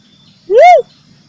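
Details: One clear whistle from a ruddy cuckoo-dove, locally called gedewo, used as a bird-trapping lure. The note swells up and drops back down within about a third of a second, with near silence around it.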